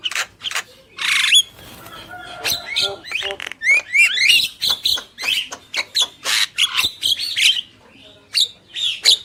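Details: Vigorous song of a male and female Javan myna: a loud rasping burst opens a long stretch of mixed squawks, rising whistles and clicky notes with brief quieter gaps.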